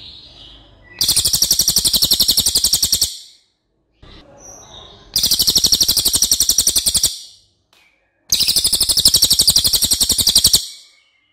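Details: Cililin, a songbird with a long, loud voice, in a recording for training other cage birds: three bursts of rapid, harsh, high buzzy pulses lasting about two seconds each, separated by short silences.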